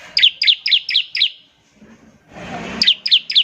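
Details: Bar-winged prinia calling to set other prinias singing: five sharp, descending chip notes at a steady pace, a short gap with a soft rustling noise, then three more identical chips.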